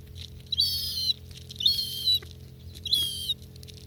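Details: Gulls having dinner in Northern Kazakhstan, filmed up close; three high, thin, strained calls about a second apart, each lasting about half a second, with faint clicks between them.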